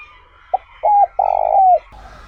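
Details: Tame decoy spotted dove cooing to lure wild doves, in the smooth 'trơn ròng' voice style: a short soft note, then a brief double coo, then a long, low, drawn-out coo that falls slightly at the end, over a faint steady hum.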